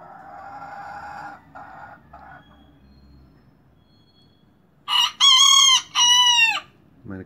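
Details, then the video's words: Crowing of a young miniature rooster, new to crowing and marking territory: lower murmuring sounds first, then after a pause a loud three-part crow of short rising note and two sustained harmonic syllables, with another sound starting at the end. "Gallito Miniatura Cantando Kikiriki"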